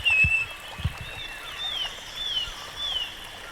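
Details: Wild rusty-fronted barwing gives a series of short, clear, downslurred whistles, about four spaced through the clip, over a steady stream background with a couple of low thumps near the start.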